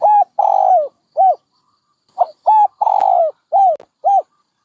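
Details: Two back-to-back dove phrases of mellow coos, each a long trembling note followed by short arched hoots, with a faint click in the middle.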